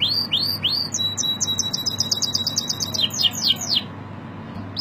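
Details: Canary song with loud upward-slurred whistles, a rapid buzzy run of repeated high notes, then more sweeping slurred notes before stopping, against a faint steady low hum.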